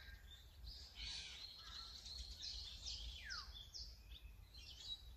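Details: Azure-winged magpie gives a harsh, rasping run of calls, then one long downward-sliding note, with more short scratchy notes following and low background rumble.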